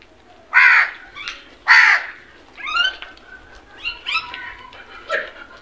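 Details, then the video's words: Crows searching for food give loud, hoarse caws, two strong ones close together followed by several shorter, weaker caws at uneven intervals, with nothing else prominent behind them. "Crows sounds | Best crows video searching for food"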